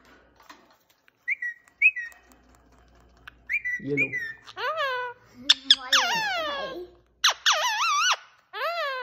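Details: Indoor talking parrot mixing brief squawks, soft chirps and whistled notes with longer wavering, voice-like phrases that grow louder toward the end.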